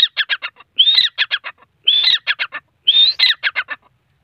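A grey francolin gives loud, harsh phrases: a drawn-out rising note and then three or four quick clipped notes, repeated about once a second.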